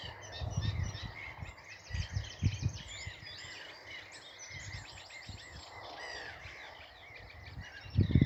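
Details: Eurasian reed warbler song near water at a morning start, running on without pause like a clockwork toy: a steady, jerky chatter of repeated scratchy notes, with low wind rumble and thumps underneath; a whitethroat also sang nearby.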